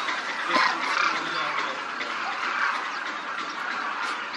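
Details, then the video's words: A large group of demoiselle cranes flying and feeding in formation in Rajasthan: busy, overlapping croaking calls from many birds at once, a short louder burst near the start, then an even din. "Demoiselle Cranes croon, fly and feed in formation, as a large group, and cloud up the Rajasthan sky"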